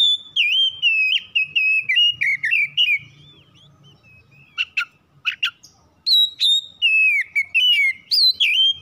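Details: Household oriental magpie-robin giving its trigger song for morning, noon and night. A long run of fast whistled notes falls slightly in pitch, then come a few sharp chips and a second strong burst of high whistles.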